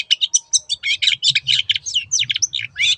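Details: Long-tailed shrike in rapid, energetic song: dense chattering warble of scratchy and whistled notes run closely together, with a low hum in the background.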